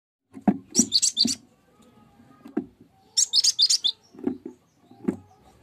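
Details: Cinereous tit song used as a lure to set other birds singing: two bursts of rapid, thin, high chattering notes, each under a second, separated by dull low knocks and taps.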